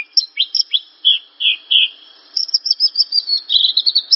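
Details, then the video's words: Javan bush lark (branjangan) song: a few spaced, drawn-out slurred whistles, then a short pause and a fast, steady series of high chirping notes to the end. "Suara burung branjangan/branjangan langsung bunyi denger suara ini"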